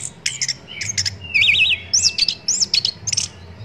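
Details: Orange-headed thrush song, a tutor recording for training captive songbirds: sharp high chirps, then a loud wavering trill that rises and falls rapidly, followed by looping whistled phrases; faint low hum underneath.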